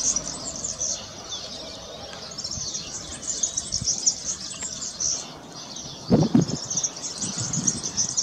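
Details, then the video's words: Song of a European serin: a continuous high-pitched, sizzling, tinkling jingle running throughout, briefly interrupted by a couple of soft low thumps midway. "Verdecillo (serinus serinus) Cantando"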